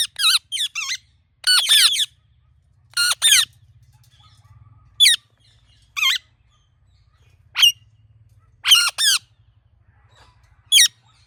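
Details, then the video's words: Ringneck parrot giving natural chirping calls: loud, harsh, screechy bursts, some single and some doubled, at irregular intervals against an otherwise quiet background. "Ringneck Parrot Natural Chirping Sounds"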